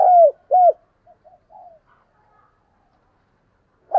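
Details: Decoy spotted dove giving urging and calling coos: two loud, low, rounded coos arching down in quick succession, then a few soft, short muffled notes and a fading trail before another coo begins at the end; quiet background.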